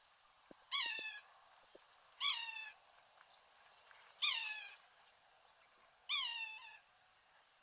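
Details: Sapsucker in Washington giving a whiny, cat-like call reminiscent of a catbird: four separate downslurred, nasal mewing notes, each about half a second long with rich harmonics, spaced roughly every two seconds, over quiet background with a few faint clicks.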